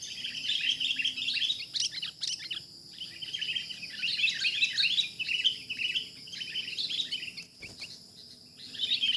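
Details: Trapping of a wild sooty-headed bulbul: dense, scratchy chirping runs, almost continuous with brief pauses, under a persistent high insect whine.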